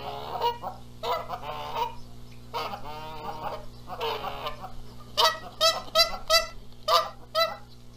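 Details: Nesting Canada geese in Charlo, Montana, April 14, 2022, contest egg-sitting duty as the male arrives making lots of noise; wavering drawn-out honks give way to a rapid series of sharp, loud, evenly spaced honks.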